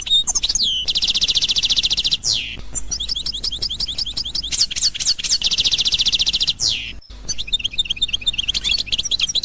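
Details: Constantine goldfinch, a pure-bred Algerian type, in 2021: long rapid buzzy trills alternating with sweeping whistled notes and twittering chirps, one sustained rattle near the start and another midway, with a brief gap before the singing resumes.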